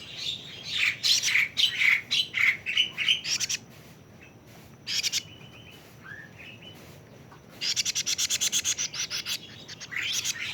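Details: Young plaintive cuckoo, 41 days old, giving quick runs of harsh, high chipping notes, about four per second, in two bursts separated by a quieter stretch with a few softer chirps.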